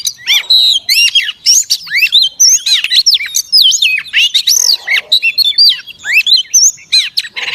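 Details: Close, loud singing from a female Oriental magpie-robin, used to stir up males: rich whistled phrases, sweeping up and down in pitch, interspersed with scratchy clicks and chatters, almost without pause.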